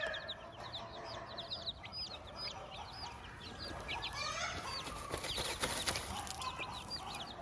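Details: A hen's chicks on a farm peep constantly, thin descending chirps tumbling over each other at a rapid pace, with some scratching and rustling noises toward the end.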